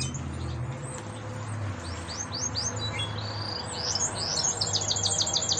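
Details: Young canary, the only surviving chick of yellow canary parents, singing thin high chirps and sweeping notes that build into a fast repeated trill over a strong low hum and background noise.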